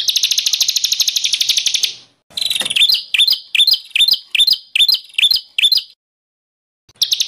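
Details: Emotional, constantly singing white-rumped shama: a long buzzing trill, then a chain of chopped phrases, each closing with a rising whistle, before a pause and a fresh trill.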